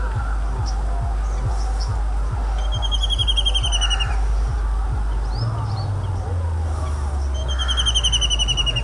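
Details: White-throated kingfisher, locally called KilKila, an urban bird of India, giving its loud, ringing, laughing cackle: high, fast, descending trilled rattles heard twice, over steady rhythmic music with a thumping beat.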